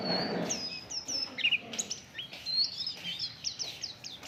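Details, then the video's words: Lure recording of Oriental white-eye song to prompt other birds to sing: thin, high, slurred whistles and quick chirps in irregular bursts, with a soft low rumble at the start. "Burung Pleci Gacor"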